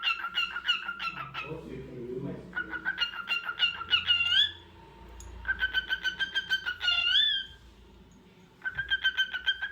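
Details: Cockatiel calling in several bursts of rapid repeated notes, some ending in a rising whistled upsweep, with pauses between bursts and a low murmur in the background.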